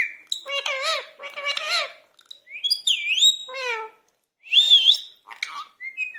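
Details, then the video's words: Talking Indian ringneck parakeet, said to be angry, gives a run of wobbly speech-like syllables, a brief pause, then a looping whistle, a dipping shrill note near the end and a few sharp chirps. "Angry parrot talking/ Talking parrot / Indian ringneck talking/ Parrot Ki Awaz/Lovely talking Parrot"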